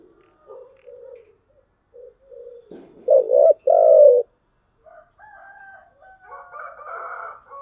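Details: Spotted dove, 'giọng thổ chiêu gù' cooing. Soft, muffled low coos lead into two loud, deep coos in the middle, followed by fainter wavering notes.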